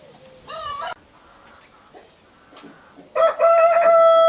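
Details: Rooster crowing: a short harmonic crow near the start, a quiet pause with faint rustling, then a loud, sustained, ringing crow with strong harmonics that runs to the end.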